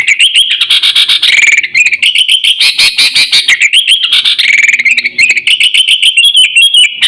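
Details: Sooty-headed bulbul lure call for attracting birds and training pet birds: continuous rapid chattering of bright, slurred chirps with harmonics, notes tumbling and rising in dense runs for the whole stretch.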